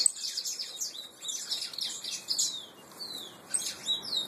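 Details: Peruano puro canary nestlings giving bursts of high, rapid twittering broken by short pauses and a few downslurred whistled notes.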